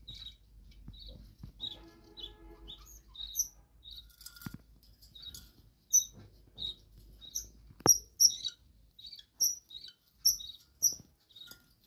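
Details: Budgerigars kept in a bird room give scattered soft chirps, then a livelier patch of sharp, high whistled notes with a few taps and clicks in between.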